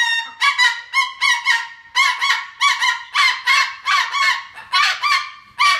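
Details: Playground cockatoo raising a harsh, grating alarm call, a series of loud nasal squawks coming in quick irregular succession, nearly two per second.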